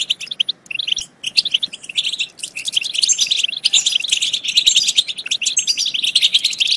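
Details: European goldfinch song for triggering goldfinches to sing and mate: a few separate chirps at first, then a dense, continuous rush of bright twitters and trills.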